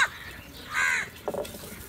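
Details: A single drawn-out, raspy caw from crows fighting over food, followed by a lower, rougher croak, with faint background noise.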